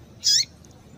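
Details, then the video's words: Female rusty-collared seedeater (coleiro) calling to stimulate males: a single short high chirpy note with descending harmonic strokes, about a fifth of a second long, then quiet. "fêmea de coleiro quente para esquentar coleiro"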